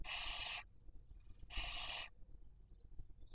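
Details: Barn owl (Tyto alba) at a webcam nest in Cabañeros National Park, Castilla-La Mancha, Spain, raising young in the 2023 breeding season: two loud harsh hissing screeches about a second apart, then quiet.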